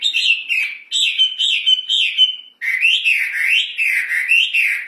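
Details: Hwamei (wambi), a pet songbird known for a loud, ringing voice, delivering repeated slurred whistles, then a faster rolling series of rising and falling warbled notes, no other sounds.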